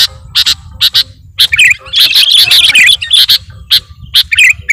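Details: Sooty-headed bulbul calls used as a lure by bird catchers: loud clipped chirps, then a tumbling run of chattering twittery notes, then spaced chirps again; faint low hum beneath.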